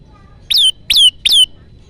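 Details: Olive-backed tailorbird song played as a trapping lure, three loud, piercing notes each sliding downward, spaced evenly about a third of a second apart over a quiet background.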